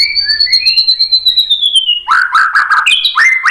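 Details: White-rumped shama singing to goad another bird into song: a long, clear whistle slowly falling in pitch, followed by a lively jumble of stepped, jumping notes.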